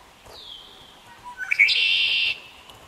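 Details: Blackbird singing in the Basha Kill Wetlands on June 6, 2011. A thin, falling whistle is followed by a loud, harsh, buzzy trill lasting almost a second.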